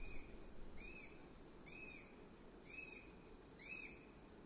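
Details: Eurasian sparrowhawk calling: four high, arched, thin whistled notes with overtones, spaced just under a second apart and growing louder, over a faint steady background hiss.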